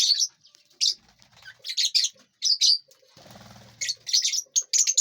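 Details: Several lovebirds feeding and flying inside a big aviary give bursts of shrill, high-pitched chirps in clustered groups. A short pause comes midway, then the rapid chirping starts again.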